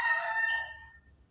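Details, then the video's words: Bantam chicken (ayam Kate) out searching for food; the tail of a crow, harmonically rich and bright, trailing off within about one second into quiet. "Ayam, ayam berkokok, ayam Kate sedang cari makanan"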